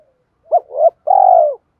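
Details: Spotted dove used as a decoy, thúc dút calling style: a sharp arched hoot, a swelling middle note, then a sustained, trilling coo that slowly falls in pitch. Silence otherwise.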